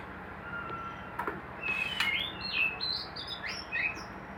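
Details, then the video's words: White-rumped shama housed in a hanging cage for breeding, singing softer, scattered whistled notes and short slurred chirps over a steady background hiss, with a couple of sharp clicks. "ternak burung murai batu di sangkar gantung"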